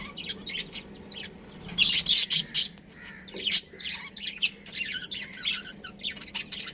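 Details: Breeding pair of pet budgerigars: soft twittering broken by a loud cluster of harsh, grating squawks, followed by scattered high chirps and chatter.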